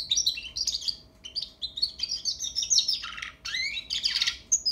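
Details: Young European goldfinch learning its song, a lively stream of high tinkling chirps and whistled notes with scattered lower rising slurs and a harsh buzzy burst near the end, over a light hum.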